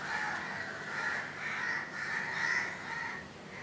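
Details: Budgerigars in a nest where a chick hatched on 15 July 2018, second day after hatching: a steady, continuous buzzy rasping that swells and fades several times.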